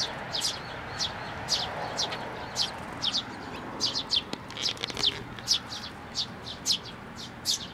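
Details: Sparrows feeding from a hand at a Tenmangu shrine, 18 May 2024, while raising nestlings. A lively series of clear, high chirps follows in quick, uneven succession, several birds calling, with little other sound.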